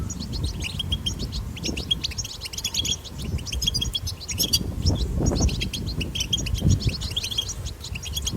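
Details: European goldfinch 'batbata' recorded in the wild, meant to stimulate goldfinches to sing: an unbroken stream of rapid high twittering and chirps, accompanied by heavy low rumbling of wind.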